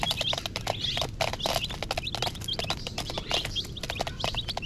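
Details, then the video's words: Many dyed, coloured chicks peep together in a constant flock chorus of short, high, downslurred cheeps, overlapping rapidly, with dense tapping and clicking noises and a low background rumble. "Chicken Sounds"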